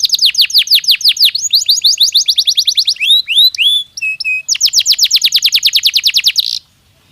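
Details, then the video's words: Natural canary song, played to prepare birds for the breeding season: fast tours of high, downward-sweeping notes repeated several times a second, then a brief set of lower rising slurs and two steady tones, then another rapid rolling trill. "تغريد كناري طبيعي يساعد على تهيئة الطيور نفسيًا للدخول في موسم التزاوج"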